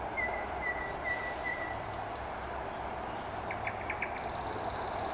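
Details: Common nightingale singing on a late-May evening in Vyazniki, Russia, with other birds around: a run of soft, repeated whistles, then high sharp notes and a quick rattling trill, over a steady hiss, with a Pekingese dog audible in the background.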